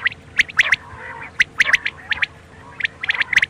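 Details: Quail call meant for night use: short sharp chirps in quick clusters of two or three, with broken pauses between bursts, several birds seeming to overlap, over a steady low electronic hum.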